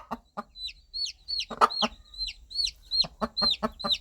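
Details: Hen clucking softly and rhythmically to her young chicks, about three low clucks per second, while the chicks answer with bright, falling peeps that continue between the clucks.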